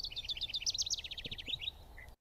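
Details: A House Wren, a nest-box bird that breeds across rural to urban noise gradients, sings a fast, bubbly, complex cascade of some twenty high, jumbled notes in under two seconds, ending in a brief trill, with faint low background noise.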